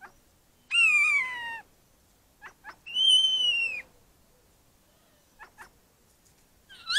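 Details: December garden starling singing: two long, clear whistles that dip and level off, separated by scattered short clicks, ending with a rising whistled fragment.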